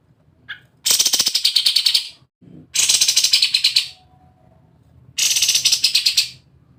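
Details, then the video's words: Sooty-headed bulbul in an excited, rapid rattling song used as bait to set other birds singing: three dry, buzzy chattering bursts, each about a second long, every two seconds or so. "BURUNG KAPAS TEMBAK NGEBREN OVER EMOSI"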